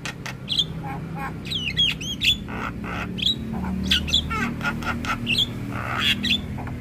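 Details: Javan myna master song: a busy jumble of sharp chirps, twisted whistles and raspy notes, delivered in quick irregular bursts over a low background rumble.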